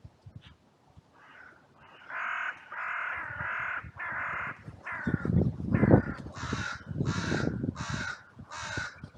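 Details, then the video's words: Crows raising a massive outcry in a cemetery on a sunny day, recorded by trail cam after two crows fought briefly and others rushed in from all directions; harsh caws start after a quiet second, then come in rapid overlapping bursts over low rumbling thumps. "Crows and Crow Sounds"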